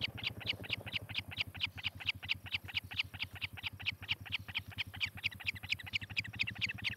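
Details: One July 2018 morning on the Charlo, Montana osprey nest cam, high piercing chirps repeat about four a second while a loud, pulsing low rumble runs underneath the whole time.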